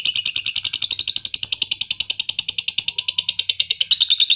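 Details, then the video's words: Adult lovebird song meant to stimulate adult lovebirds: evenly spaced high chirps delivered about eight per second in a continuous rattling run, with the pitch easing slightly lower near the end. "PERANGSANG PANCINGAN LOVEBIRD DEWASA"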